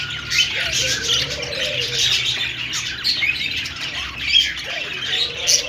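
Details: Budgies chirping to each other in a cheerful chorus, high scratchy warbles and quick squawks with occasional louder peaks, plus lower wavering whistled notes at the start and end.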